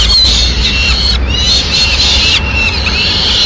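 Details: Female peregrine falcon bringing a pigeon to the nest in Madrid, Spain, 6 May 2016; long, drawn-out harsh wails slide downward and break, nearly continuous, over a low rumbling background.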